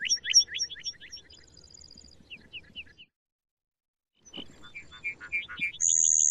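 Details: Singing male lark bunting, a different bird from earlier recordings, heard at close range: repeated slurred high notes and a short buzzy trill, a brief silence, then varied chips, whistles and a sustained high buzzy note.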